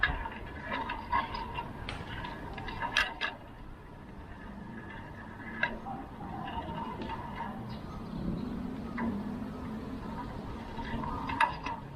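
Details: Sharp ticks and clicks over a low rumble with faint background hum; no clear animal call.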